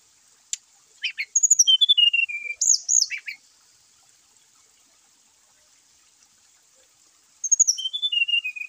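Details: Brown-chested jungle flycatcher song, a recording used to stir caged birds that rarely sing. High, thin whistled notes in quick descending runs, with a pause of several seconds before another falling series begins.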